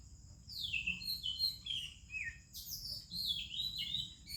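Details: Oriental magpie-robin, recorded in India in the morning alongside other songbirds: melodious descending whistles, each note sliding downward, followed by a second sweet phrase after a short pause, with faint chips behind.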